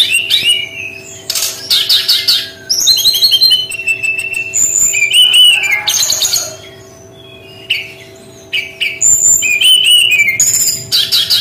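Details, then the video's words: Brown-chested jungle flycatcher in its distinctive 'tembakan' singing style, delivering a long, fast run of sharp whistled notes, buzzy trills and rapid chattering bursts, then a brief pause before resuming, with a faint background hum. "SUARA UNIK GAYA TEMBAKAN BERKICAU BURUNG SRDC"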